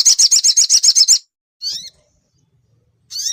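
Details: Young sunbird with its song played to spur chattering. A fast, even series of about ten sharp, high ticking notes, then two short separate twitters after pauses.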